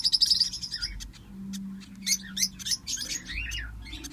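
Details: Lovebird chicks, a brood of five hatched together, give high squeaky cheeps and short buzzy notes, some sliding up and down, overlapping in irregular clusters over a soft low hum.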